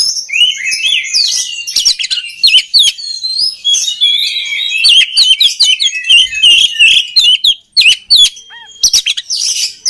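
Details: Oriental magpie-robin song, played to train other birds of the species: varied shrill whistles and slurred chirps in quick succession, with a few long pure whistled notes and a brief lull late on.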